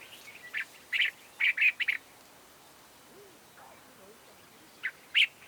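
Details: Cape bulbul from Southern Africa giving a call variation: a run of short chirped notes, the middle ones in a quick rolling cluster, then a gap and two more clipped notes near the end; faint low background murmur.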